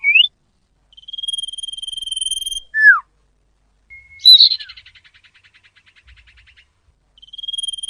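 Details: Clear common iora lure call: a long flat whistle ending in a down-slurred note, then a sharp note trailing into a fading dry rattle, and the long whistle starting again.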